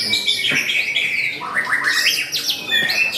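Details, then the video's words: A contest white-rumped shama (murai batu) singing in a fierce fighting style: a sustained high whistle, then a stepped run of rising clear notes and quick chattering phrases, with other birds singing nearby. "MURAI BATU NARUTO KEMBALI TAMPIL APIK DENGAN GAYA TARUNG SUPER GAHAR"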